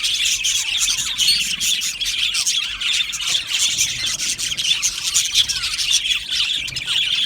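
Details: Budgerigars in an aviary colony, a dense, unbroken chorus of high chirps, squeaky warbles and harsh squawks from many birds at once, with no pauses.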